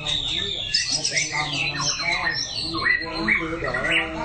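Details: White-rumped shama singing during training practice: a dense run of varied whistles, slurred glides and chattering notes, some high and sharp, with a low hum and faint voices underneath.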